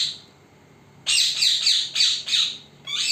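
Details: Parrot, filmed secretly so it would not spot the person, breaking a quiet pause with a run of five loud, harsh squawks and the start of another.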